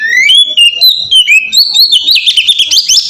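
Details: Oriental magpie-robin in melodious ngeplong song, meant to lure other magpie-robins into singing: a continuous stream of clear whistles climbing steadily higher, ending in rapid, jumbled high chirps.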